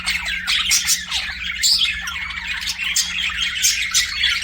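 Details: Pet budgerigars singing and chirping: a dense, continuous warble of rapid chirps, squawky notes and short whistles, overlapping voices from several birds, with a faint steady hum underneath.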